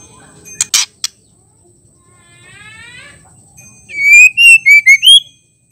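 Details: Female white-rumped shama song, meant to rouse males into singing and aggression. Sharp clicks and a faint buzzy trill come first, then a loud run of clear whistled notes that dip and rise at the end.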